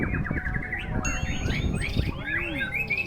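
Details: White-rumped shama singing at a contest in strong wind: rapid run of clear, looping whistled notes with slurred rising and falling phrases, other contest birds overlapping, low wind rumble underneath.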